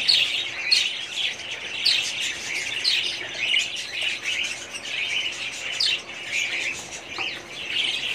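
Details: Budgerigars in their 2017 breeding colony giving repeated clear chirps and short upward-sweeping whistles over a background of flock chatter.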